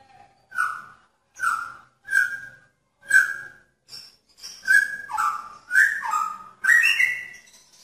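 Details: Male magpie-robin courting a female in a pairing cage: a series of short, clear whistled notes about once per second, then faster rising and falling whistled phrases toward the end.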